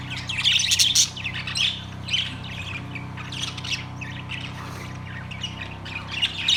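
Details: Budgerigars in a cage, September 3, 2023: a busy run of high, quick chirps and squawks, several notes a second, louder at the start, over a faint low background hum.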